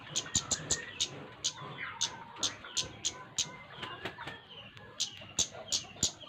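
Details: Bright, insistent ticking from a flowerpecker, loud high notes repeated several times a second in uneven groups, with soft whistled notes of other birds behind.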